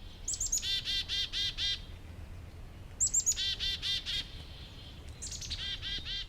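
Black-capped Chickadee giving its chick-a-dee-dee-dee alarm call, high notes followed by a run of buzzy dee notes.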